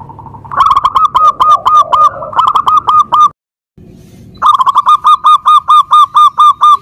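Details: Local zebra dove singing: a long run of clipped, hollow cooing notes, each sharply accented. A short silent gap splits it, and a steady, evenly spaced series of coos follows.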